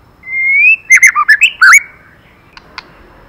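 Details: Female white-rumped shama calling to stimulate a male: a long, smooth whistle rising slightly in pitch, then a quick burst of five or six loud, looping warbled notes, followed by two faint clicks in quiet surroundings.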